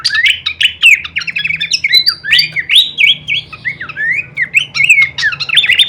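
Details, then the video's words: Horsfield's babbler pouring out full-variation kleperan song as masteran training audio for songbirds, a dense flowing medley of whistled slurs, downslurs and sharp chips throughout. "masteran andalan khas burung pelanduk semak suara full variasi kleperan"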